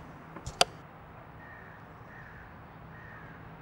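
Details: Red-lored Amazons (Amazona autumnalis), a feral flock in Orange, California, where they keep in small groups near other Amazon flocks; one gives two quick, harsh, raspy squawks close together, then faint distant chatter and a low background hum.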